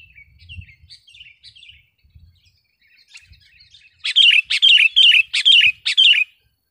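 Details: Vigorous sooty-headed bulbul song for tutoring caged birds and calling wild ones: quiet scattered chirps with faint low thumps, then a loud fast series of six sharp, regularly spaced chattering notes.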